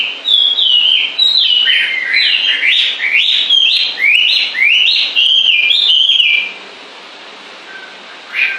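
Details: Six seconds of rich, fast warbling song with rising and falling whistled phrases, then near silence broken by one last short note.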